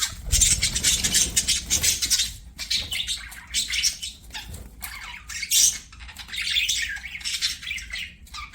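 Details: Budgerigars chatter noisily during play, a harsh, buzzy wall of squawks and chirps in long bursts with brief breaks, plus faint low thumps early on.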